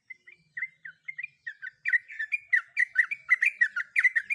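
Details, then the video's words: Sooty-headed bulbul female calling to a male while in breeding condition, used as a ropel lure; spaced chirps at first that speed up into a dense, rapid chatter. "Pancingan Untuk Trucuk Belajar Ropel Agar Tiap Hari Rajin Ropel"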